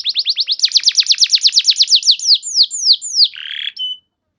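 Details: Canary lure song used to train other canaries to sing: rapid series of clear descending whistled sweeps, about three per second, ending in a few slower high slurs and a short buzzy note.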